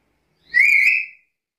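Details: A single loud, clear whistle from a black-capped lory, slightly rising then level, rich in overtones and lasting about two-thirds of a second against silence.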